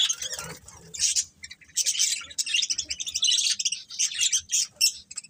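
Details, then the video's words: Pet budgies chattering in quick bursts of high, scratchy chirps and squeaky twitters, overlapping and broken by short gaps. "Cute Budgies Chirping Sounds"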